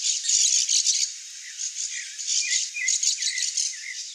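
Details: Female Blue Dacnis (Dacnis cayana) giving high, thin, buzzy chips in quick rattling bursts, with a few lower slurred notes between them.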